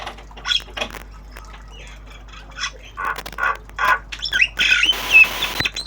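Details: Tame Javan myna, a kept bird learning sounds, singing obyogan style: scattered harsh chattering notes, then a denser run of raspy squawks and thin whistles ending in a loud noisy burst.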